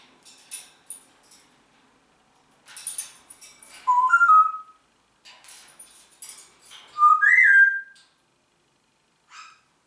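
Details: Congo grey parrot, a pet talking bird indoors: scattered clicks and squeaks between two-note whistled phrases, each stepping upward, the second phrase louder and higher.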